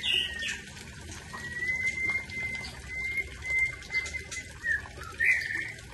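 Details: Aceh-variety white-rumped shama holding a long, steady, thin whistle for about three seconds, framed by brief burry flourishes at the start and end, with light clicking in the background.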